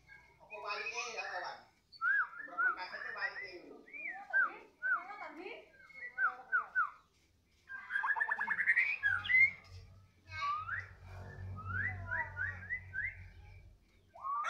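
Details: A 'balak 6' white-rumped shama sings freely after feeding: a long varied string of slurred whistles, quick rising trills and scratchy phrases, with a steady low hum in the second half.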